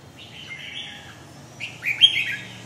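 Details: Red-whiskered bulbul singing: a warbling phrase of bright whistled notes, a softer opening passage then a louder, richer burst near the end, with faint low background hum.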